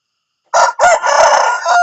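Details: Morning crow from a rooster, loud and close: a brief opening syllable, a pause, then a long raspy, sustained call with a ringing tail, cut off at the end.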